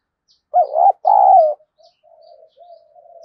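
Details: A decoy spotted dove, kept to incite fights, utters a strong double coo, a dipping first note and a sustained second, then trails off into soft, low, drawn-out murmuring hoots.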